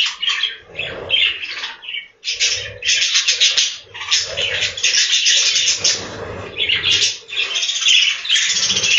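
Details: Inside a budgie farm's breeding room, a crowd of captive budgerigars keeps up continuous buzzy warbling and sharp chirps in overlapping waves, with a short pause near two seconds.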